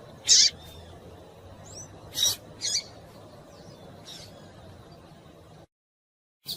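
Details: A female double-collared seedeater gives short, high, scratchy call notes every second or two, with a faint thin whistle between them, over a low hum; these female calls are used to excite captive males into singing.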